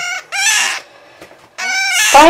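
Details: Male scarlet-chested parakeet, a pet kept with his mate close by, crying as he regularly does; two loud, harsh, drawn-out wailing cries, each about half a second long and rich in overtones, separated by a short pause.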